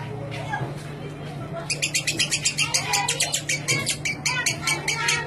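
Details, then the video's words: Lovebird chattering in the ngekek style used to prompt other lovebirds: after a quiet, murmuring start, a burst of quick scratchy notes begins and repeats irregularly to the end over a low hum. "Suara Burung Lovebird Ngekek Jernih Pancingan Buat Lovebird Ngekek Panjang"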